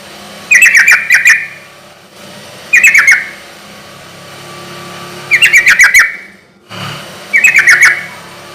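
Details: Bulbul lure song of a yellow-vented bulbul aimed at getting other bulbuls to reply: four rich, rapid chattering phrases of five or six notes each, repeated every two to three seconds.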